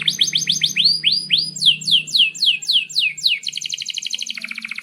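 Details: Energetic canary in long song, played to train young canaries and restart silent ones: a run of slurred downward-sweeping chirps, several per second, giving way to a fast, mechanical rolling trill; a faint low hum lies underneath.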